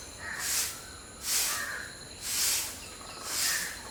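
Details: A white-browed bulbul, filmed during feeding behaviour, gives four harsh, hissing bursts about once a second, high-pitched and breathy, over a faint steady background hiss.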